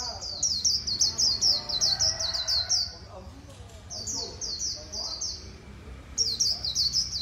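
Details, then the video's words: Líu song of a white-eye, recorded among Vietnamese bird keepers: bursts of rapid high twittering separated by short pauses, three phrases in all, with soft low background murmurs. "KHUYÊN LÍU HAY NHẤT 2019"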